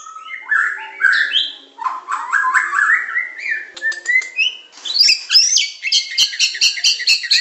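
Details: Medan-type white-rumped shama training song for provoking caged birds: a continuous run of varied whistles and slurred phrases climbing in pitch, ending in fast, sharp, repeated chattering notes.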